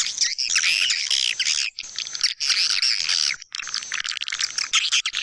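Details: Swiftlet-house lure of white-nest swiftlets, East Kalimantan: bursts of dense buzzy chirping and twittering separated by short pauses, notes crowded and high.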